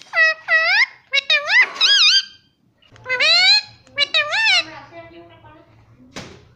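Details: Indian ringneck parrot kept as a pet that mimics words such as "mummy" and "papa": a rapid series of voice-like syllables, each bending up then down, in two bursts separated by a pause. A faint low hum runs underneath.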